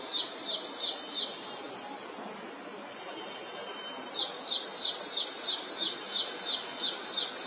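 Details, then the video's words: An Indian prinia, described as one of the noisiest birds, repeats sharp, high chirping notes about three times a second in two bursts, over a steady high insect hiss. "Prinia indiano( Um dos mais barulhentos)"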